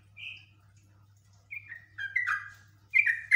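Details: Yellow-vented bulbul (trucuk), highly agitated, singing a long 'ngekek' run: a soft whistled note, a pause, then bubbly descending chirps building in bursts near the end, over a steady low hum.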